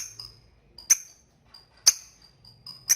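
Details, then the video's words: Lovebird ngetik calling to summon a partner so it chatters diligently, for training young birds: three piercing shrieks about one second apart, with thin high whistles between them. "LOVE BIRD NGETIK MEMANGGILLAWAN AGAR RAJIN NGEKEK"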